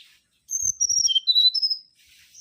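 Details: Single whistled phrase from a mangrove whistler (Pachycephala grisola) singing vigorously. Smooth, high, slurred notes fall and then rise again, lasting about one and a half seconds, with faint soft clicks underneath.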